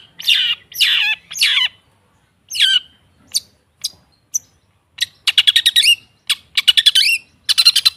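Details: Lure song of the long-tailed shrike, meant to get a silent caged bird singing: three grating harsh notes, a pause with scattered sharp ticks, then fast stuttering buzzy trills repeated in short bursts.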